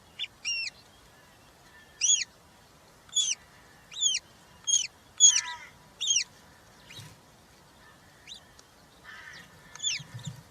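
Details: Nest of European rollers holding three chicks, recorded 20 June 2023 while a chick is fed a giant grasshopper; clean up-and-down whistled notes come in irregular pairs and singles, then a few rougher calls and light thumps near the end.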